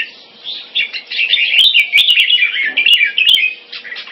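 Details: Red-whiskered bulbul of champion crossbreed stock, kept in Singapore style, pours out a continuous run of quick liquid warbles and twittering notes, punctuated by several sharp clicks.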